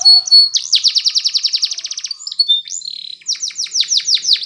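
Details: Spanish Timbrado canary singing a training song for canaries. A long, rapid metallic trill of evenly spaced notes, brief whistles, then a run of loud, descending swept notes.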